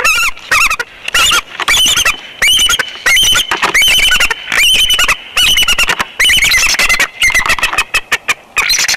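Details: Bald eagle pair meeting at their nest on a back porch perch in Big Bear Valley, 3 January 2021, from a nest camera: loud, shrill chittering squeals in rapid bursts, repeated almost without pause, with short gaps between phrases.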